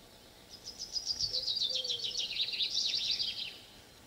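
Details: Common Chaffinch from mainland Europe, where it is common in rural areas, sings a bright, quick run of high notes lasting about three seconds, descending in steps and ending in a brief flourish; faint low hum.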